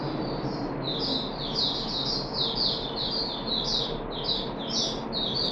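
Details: Caged puff-backed bulbul recorded 14 July 2021 during the third day of worm treatment: repeated thin, high chirps that each drop in pitch, roughly two per second, with constant hiss behind them.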